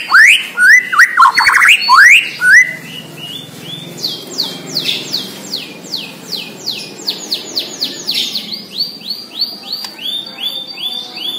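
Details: Energetic Bornean white-rumped shama song: a loud burst of tumbling mixed phrases, then a long fast run of sharp, evenly repeated chipping notes, roughly two per second or more, fading into softer rhythmic notes.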